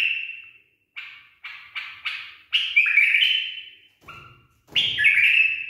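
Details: Domestic bulbul with a trained barwaz song: short fluty whistles build into longer warbling slurs. A faint low rumble lies underneath partway through.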